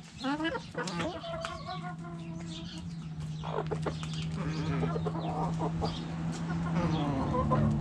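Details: Hens in a backyard coop cluck in overlapping, stacked harmonic calls, short notes repeated at an irregular pace, growing louder toward the end over a constant low hum.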